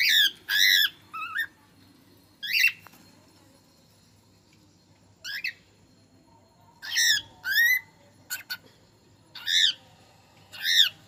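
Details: Cockatiel talking: loud, harmonic, chattering phrases with arched, rising-falling notes, given in bursts separated by short pauses over a faint background hum.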